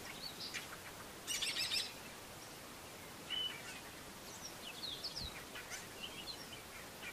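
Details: A male Black-bellied starling sings his usual varied run of short whistles, chirps and a harsh burst, then mimics a Brown-hooded Kingfisher and a Fork-tailed Drongo towards the end, over soft background noise.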